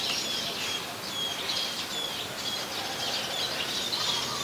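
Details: Scaly-breasted munia at Ubon Ratchathani, Thailand, 7 January 2020: short, thin, high whistled notes repeated every half second or so over constant background hiss.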